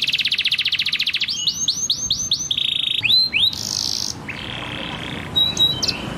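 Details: Canary in full song as a training model for young canaries and non-singers: a fast high trill, a string of arched whistled notes, a buzzy steady tour, then a lower rasping phrase and brief sharp chips.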